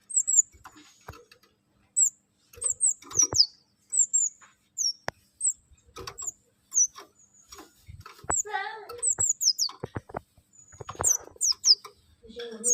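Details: Songbird singing a training song for caged birds, with sharp, very high whistled notes slurring downward and repeated in quick bursts, mixed with lower chattering phrases and soft clicks.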